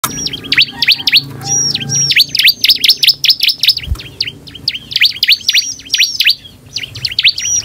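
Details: Bar-winged prinia (ciblek) in full song, used as a lure to provoke other prinias to respond: a fast, lively run of sharp, high chirps and sweeping notes, several each second, over a faint low hum.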